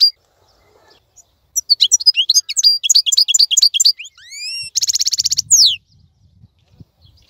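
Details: European goldfinch of the local khalawi (wild) type, still singing actively while other birds are silent in moult. After a quiet start comes a run of rapid high twittering notes, then rising whistled slurs, a dense buzzy trill and a final descending sweep.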